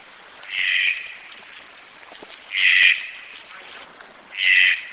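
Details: Red-breasted toucan (green-billed toucan) calling: three rough, croaking notes, each lasting about half a second, repeated roughly every two seconds over faint background hiss.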